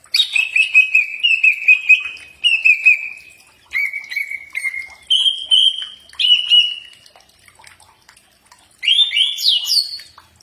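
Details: Common iora song, recorded to coax birds into replying: a string of whistled phrases, each a few quick notes falling onto a held tone, then a rising, sharply upslurred flourish at the end.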